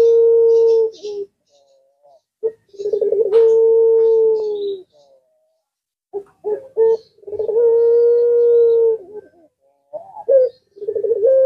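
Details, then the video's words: Puter pelung collared dove whose voice draws answers from other birds: several low coos, each a rolling start flowing into a long level hum, separated by pauses and short notes, with faint higher chirps in the background. "Burung Jenis Lainpun Ikut Nyaut Jika Mendengar Suara Puter Pelung Ini"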